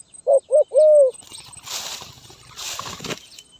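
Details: Zebra dove song in the local style called gagap tindan (sepatah), recorded 23 January 2022: three short hollow cooing notes within a second, the last longer and falling, followed by rustling and broadband noise bursts.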